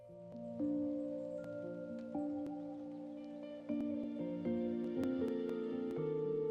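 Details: Soft new-age music with sustained tones and gentle plucked notes, no animal calls heard.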